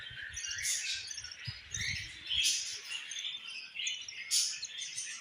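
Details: Budgerigar parent feeding its young; uneven, scratchy chirping with sharp high bursts every second or two, accompanied by low knocking thumps early in the clip.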